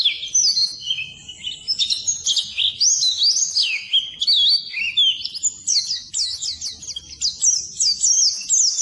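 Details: Oriental white-eye song used as training material for birds that stall and refuse to sing: rapid, continuous high twittering of sliding chirps and trills, dense and unbroken throughout.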